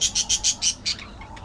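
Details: A budgerigar calls with six quick, evenly spaced high chirps in under a second, followed by a faint trailing note.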